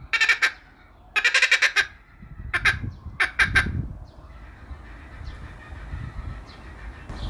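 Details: Laughing kookaburra cackling: loud, harsh, rhythmic bursts of rapid chattering notes in several quick groups over the first four seconds, then quieter background with low rumbling noise.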